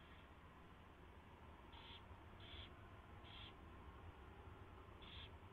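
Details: Mouse delivery and feeding at an owl nest, 4:21 AM on 24 February 2016; a series of four short rasping high calls, three in quick succession under a second apart, then a pause, over low background hum.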